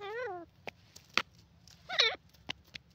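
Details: Grey francolin calling: a loud harmonic note that dips and then rises, with a second wavering note near the two-second mark, and short clicks and taps between them.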